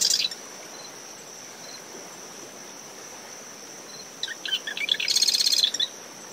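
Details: In windy post-storm conditions on a dune, a marsh wren near its nest ends one song, then after a pause delivers another: stuttering chips rising into a rapid, high, buzzy rattle; a cricket's continuous trill and wave wash behind.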